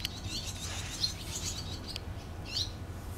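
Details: Nesting barn swallows raising young, recorded 6 June 2013; quick high twittering chirps run together early, then a single sharp upward chirp near the end, with constant low hum beneath.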